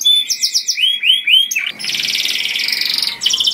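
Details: Canary delivering a loud, sweet lure song for other canaries: a few slurred whistled notes repeated, then a prolonged buzzy, rapid trill.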